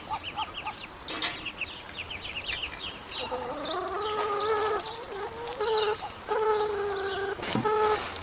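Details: Several grown ducklings calling when hungry: quick high peeps at first, then a run of repeated reedy, slightly wavering whistled calls about a second each, separated by short gaps.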